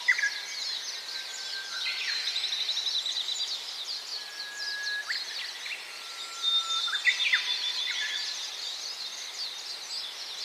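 Gouldian finch song, a soft stream of high, thin hissing notes and faint whistles, with several other small finches twittering around it.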